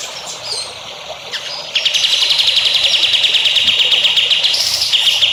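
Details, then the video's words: Songbird training song meant for future champion birds: after a few faint whistles, a fast sustained high trill of rapidly repeated notes runs for several seconds and ends with a brief shift in pitch. "MASTERAN BURUNG HANDAL UNTUK CALON BURUNG JAWARA"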